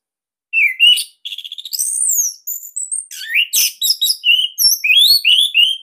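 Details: Captive Orange-headed thrush, Bali type, singing a loud, compact song used to train other birds: rising whistles, a rapid stuttered trill, then a quick run of high, varied chirps and sweeping slurred notes.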